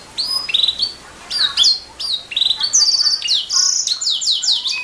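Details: Master recording of canary song for training songbirds: bright whistled notes and sliding chirps in short bursts separated by brief pauses, then a denser run of rattling trills and swooping downslurs.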